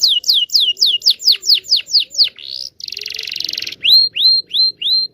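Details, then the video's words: Canary singing long training song for young canaries: about ten falling whistled notes, a soft buzzy trill, then four rising upslurred whistles spaced evenly. "KENARI GACOR NGEROL PANJANG PANCINGAN KENARI PAUD BELAJAR BUNYI"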